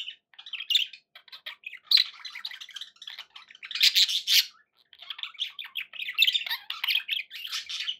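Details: Indoor pet budgies keep up a busy warbling chatter, with scratchy chirps and louder harsh squawk bursts near the middle and short gaps between phrases.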